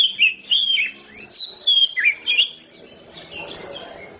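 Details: Oriental magpie-robin ngeplong song: several quick, sweet whistled phrases with sharp downward slurs, fading into quieter scratchy sounds toward the end.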